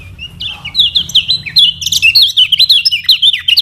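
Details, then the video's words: Lemon-bellied white-eye of Lombok, played to teach other birds to sing: a lively, continuous high warble of rapid zigzagging notes, rising and falling without pause. "KECIAL KUNING PANCINGAN UNTUK BURUNG BELAJAR BUNYI DAN MALAS BUNYI"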